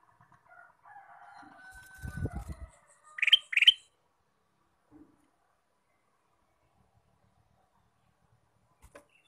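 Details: Ruby-throated bulbul song: after a soft murmur of background noise, two loud clear notes follow in quick succession, then near silence with a faint click or two.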